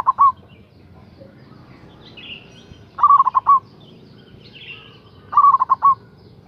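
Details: Local zebra dove, loud and persistent, played to call in rival birds. A clipped phrase opens, then two full bursts of rapid stuttering coos about two seconds apart; another bird chirps faintly at higher pitch between them.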